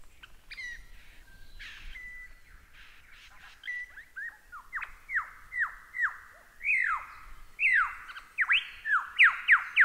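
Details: Lyrebird song for training songbirds: soft mixed notes building into a rapid series of loud descending whistled notes, about three per second.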